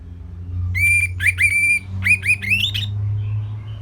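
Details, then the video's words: Orange-headed thrush from northern Bali giving a simple training song: clear level whistles, then a run of rising, upslurred whistled notes climbing in pitch, over a steady low hum. "Kicauan Simpel ANIS MERAH Gampang Untuk Ditiru Sebagai Masteran"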